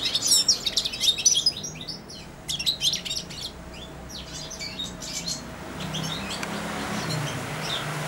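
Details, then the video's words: Hand-fed European goldfinch, a caged juvenile of four months, babbling subsong: bright, rapid twittering and jumbled high notes for about three seconds, then quieter scattered chirps over a low hum. "καρδερινούλα κελαηδάει δίπλα στο χέρι αλλά και πάνω σε αυτό!"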